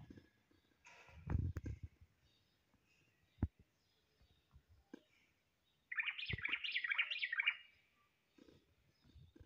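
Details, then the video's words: A common blackbird gives one rapid, wavering warble lasting about a second and a half, after a stretch of low rumbling handling noise and scattered knocks. "تغريدة طائر الشحرور"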